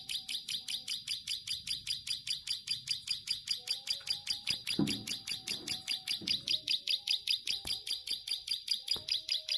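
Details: Plain prinia in full, long 'ngelik' song, a rapid, regular series of thin buzzy high-pitched notes, roughly 150 per minute, with a few faint low thuds and knocks in the background.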